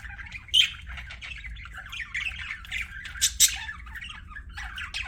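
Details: Budgerigar chatter, scratchy chirps and warbles with a loud squeak near half a second and a shrill pair of notes just past three seconds, over a soft low hum.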